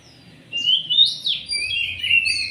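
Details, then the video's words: White-rumped shama in lively song, used as a lure for other birds: loud clear whistled phrases, some rising and sliding, others buzzy and trilled, delivered in quick bursts. "Kacer gacor buat pancingan"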